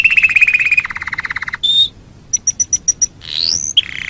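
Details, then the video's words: Canary master song for tutoring other birds: a low rolling trill, a brief pure whistle, a string of clipped high notes, then a rising sweep into a short buzz. "Masteran Suara Kenari"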